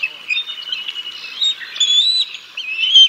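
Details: Bald eagles calling at the Decorah North nest on 6 May 2022, live cam, while chicks are fed fish: a continuous blurred high chatter with a few clearer whistled notes near the end.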